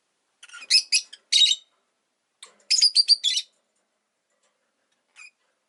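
Rosy-faced lovebird giving two bursts of shrill, harsh, high chirps in quick runs, with a single brief chirp at the end; otherwise quiet.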